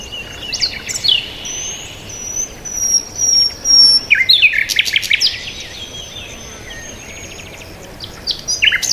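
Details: Birds chirping peacefully: long thin high whistles drawn out over seconds, interrupted by bursts of sharp twittering notes, then quieter stretches with occasional chirps over soft hiss.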